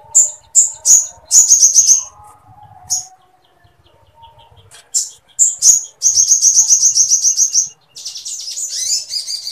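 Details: A sooty-headed bulbul in full, long song used as a tutor recording sings high, sharp chips and bursts of fast buzzy trills in quick clusters separated by brief pauses, with a faint lower whistle beneath.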